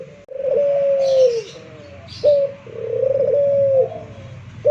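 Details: Barbary dove of local Indonesian pelung stock, an eager caller set off by one prompt, giving two long coos that start sharply and sag gently at the end, accompanied by faint high chirping.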